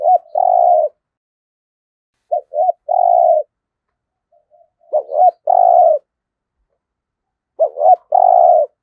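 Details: Spotted dove used as a decoy bird, giving a deep-voiced local cooing style: short stuttered notes then a long low coo, phrases repeated about every two to three seconds with silent gaps, no other sounds.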